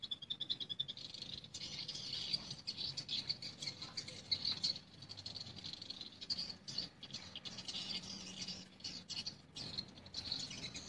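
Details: Many swiftlets active in a swiftlet house during the daytime twitter together in a dense, high, buzzy chatter with rapid clicking notes that runs without a break.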